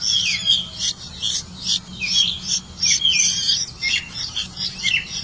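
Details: Red-vented bulbul catching crickets to feed its young: dense, harsh, high chirps and squawky notes tumble over one another in quick irregular bursts, with a faint steady low hum underneath.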